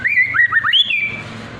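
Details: White-rumped shama song used as a lure so other shamas answer and sing; a quick run of sharp whistled notes dipping and rising, ending in a high slurred whistle that fades out over a faint low hum.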